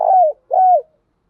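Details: Spotted dove cooing, a male and female lure voice for stimulating kept doves: two clear low coos in quick succession, each steady and then gliding downward at the end, followed by silence.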